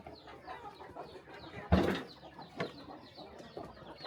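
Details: Farm chickens at morning feed in the countryside, softer scattered clucks and peeps interrupted by one loud dull thump, likely a bump or knock, in the middle.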